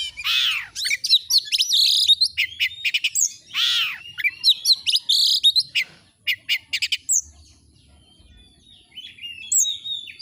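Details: Oriental magpie-robin singing loudly: harsh descending rasps alternate with rapid sharp chips, then the song thins to a few scattered whistles toward the end.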